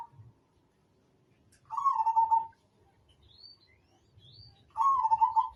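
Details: Zebra dove of the Majapahit perkutut type, recorded as a tutoring track for training birds: two rolling, burry cooing phrases, each under a second, spaced about three seconds apart. Faint thin chirps rise between them over a quiet background.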